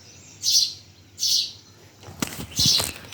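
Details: Birds chirping in Bhimtal: three bright, high, buzzy chirp bursts about every second, with a few low knocking sounds between the last two.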